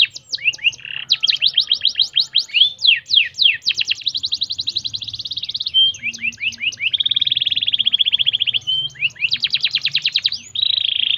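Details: Canary singing, played to stimulate canaries: continuous loud rolling trills and fast repeated down-slurred notes, shifting between rapid rattles and held whistled tours, over a faint low hum.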